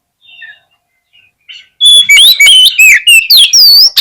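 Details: Oriental magpie-robin (kacer) song meant to trigger a fighting response and tail-spreading: faint notes, then a loud burst of sharp rising and falling whistles and rapid chattering phrases.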